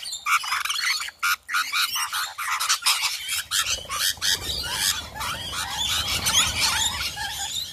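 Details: Swarm of rainbow lorikeets in a front yard in the hills around Adelaide, South Australia: a dense, continuous din of harsh, shrill screeches and chattering squawks from many birds overlapping, with a low rumble building in the second half.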